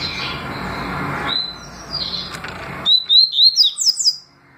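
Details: Double-collared seedeater singing in the tui tui or deputado style: after hissy noise, a bright phrase of about six high, clear whistled notes, each briefly rising and falling, delivered rapidly.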